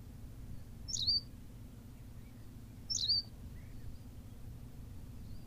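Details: Two crisp, high-pitched calls from a Berthelot's pipit on La Gomera in the Canary Islands, about two seconds apart. Each is a quick squeak falling into a short, fine, trilled whistle over a soft low hum.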